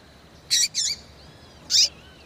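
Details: Female rufous-collared seedeater calling to stimulate males: sharp broadband chip notes, two close together then one more after a second, with faint thin whistles between.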